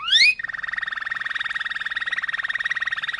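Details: Malinois canary starts with a quick rising sweep, then holds a long, evenly pulsed low rolling trill.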